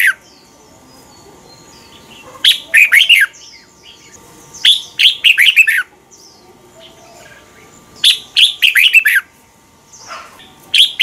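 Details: Thai Red-whiskered bulbul singing a repeated phrase used to teach young birds. Short runs of ringing, slurred notes come in four bursts, with soft high twitters between them.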